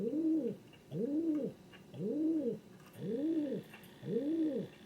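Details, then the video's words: A king pigeon, a domestic pigeon breed, repeats a low rounded coo five times at a steady pace of about one per second, each note rising then sinking, with faint clicks in the background. "SOUND OF A KING PIGEON"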